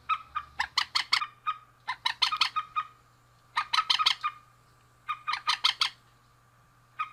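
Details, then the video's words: Rail pair, male and female, giving loud, harsh, stuttering notes in rapid bursts of four to eight, each burst separated by about a second of near silence. "Suara Burung Mandar Jantan dan Betina"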